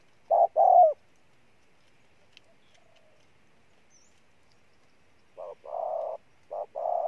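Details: Spotted dove decoy, noted for its strong cooing, gives a couple of deep coos. A long silent gap follows, then a fresh run of short-and-long coo pairs.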